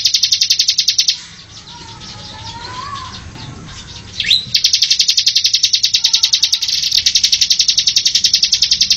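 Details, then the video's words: High, rapid machine-gun rattle from a Bar-winged Prinia in the ngebren style, a long steady run of sharp repeated notes, a pause with a rising whistle, then the fast rattle resumes at full strength. "Ciblek AK47 Ngebren Rapat Tembakan Tajam"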